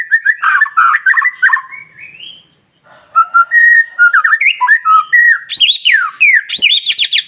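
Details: White-rumped shama morning lure song to provoke other birds: jumbled rich whistles, a rising glide, then steady clear notes building into high, rapid, sharply swooping phrases.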